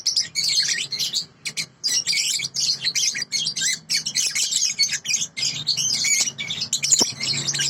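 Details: Sooty-headed bulbul song from a clear original tutor recording: almost unbroken, rapid, high chattering in quick pulses, with a soft low hum in the background.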